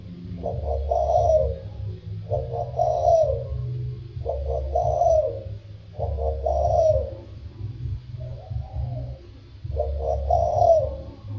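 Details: Spotted dove singing in the thổ sâm voice style, giving six repeated coo phrases roughly every two seconds, each a short stammered start swelling into a falling hoot, over a constant low-pitched hum.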